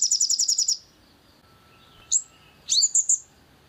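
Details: A crimson sunbird's thin trill ends after under a second, followed by a lone sharp note and then a cluster of squeaky, sweeping high calls, from a recording played to make sunbirds sing.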